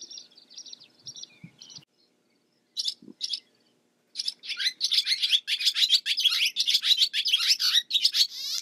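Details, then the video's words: Barn swallow song: a few short chirps around the start, a pause, then from about four seconds a fast, continuous run of high twittering notes, chattering and warbling, with a final rising trill at the end. "Barn SWALLOW BIRD Sound, Bird Song, Bird Call, Bird Calling, Chirps"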